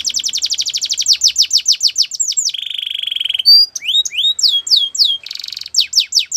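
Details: Russian canary training song with a fast series of falling whistled notes, a sustained buzzing roll, then upswept whistles and a shimmering trill, all high and clear.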